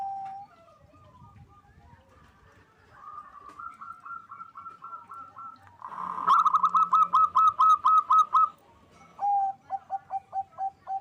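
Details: Local zebra dove singing to stir mating drive: several phrases of short rolling coos, each beginning with a longer note and followed by a regular burst of about eight rapid notes, with gaps between phrases.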